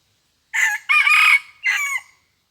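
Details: Red junglefowl decoy crowing, crowing twice only. One clear crow against silence, made of a brief harsh note, a longer sustained rasping note and a short falling close, lasting about one and a half seconds.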